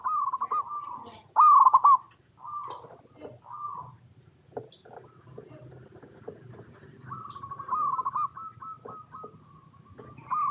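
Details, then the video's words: Zebra dove (perkutut lokal) in natural habitat, recorded as a lure for other perkutut to reply. Two loud rolling trills and scattered soft coos are followed by a long, steady cooing phrase, with clicks and faint background rustle. "PERKUTUT LOKAL GACOR Suara Paling AMPUH | Pancingan Semua Burung Perkutut Bahan Agar Nyaut Bunyi"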